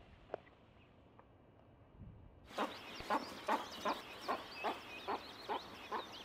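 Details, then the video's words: Western capercaillie at a lek during courtship, filmed in the early 2000s: after near silence, evenly spaced knocking clicks start, about one every 0.4 seconds, a regular tapping series over faint background hiss. "Глухариные страсти. Eurasian Capercaillie"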